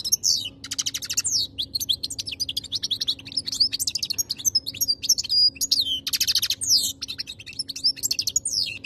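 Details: Continuous European goldfinch song made of fast liquid twitters, rolling buzzy trills and sharp rising whistles, delivered in tight phrases with almost no pauses, with a soft steady hum underneath.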